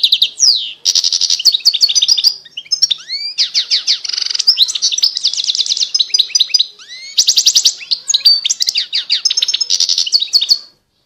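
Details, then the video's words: European goldfinch in sustained song: a continuous stream of sweet tinkling notes, rapid trills, buzzy rattles and sliding whistles over about ten seconds. "Chant De Chardonneret"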